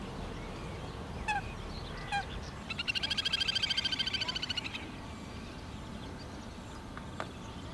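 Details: Little grebe (Tachybaptus ruficollis): two short squeaky notes, then a high, rapid whinnying trill of about twenty notes over two seconds, against a steady low rumble of wind or water.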